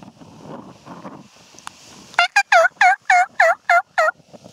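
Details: Spring wild turkey tom, 2014: after quiet background rustle, a sudden loud string of eight or nine rough, descending notes at a brisk, steady pace of roughly three to four per second.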